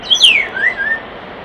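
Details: By a nest box, a common starling utters a sharp descending whistle followed by two gentle wavering lower notes, with quiet hiss behind.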